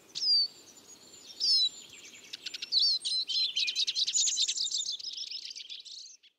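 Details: Eurasian siskin giving high thin descending whistled calls, then a rapid twittering, buzzy warble of fast repeated notes running several seconds, with faint low background noise.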